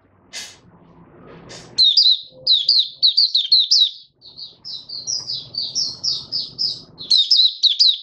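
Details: Caged oriental white-eye, fifth day after monthly deworming, 20 January 2022: after a couple of brief scratchy noises, lively high twittering breaks into a string of sweet slurred whistles, over low background hum.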